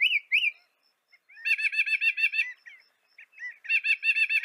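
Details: Northern mockingbird, found in North America, singing: a pair of rising whistled notes, then a run of rapid repeated buzzy chirps, a brief pause, and another fast repeated series.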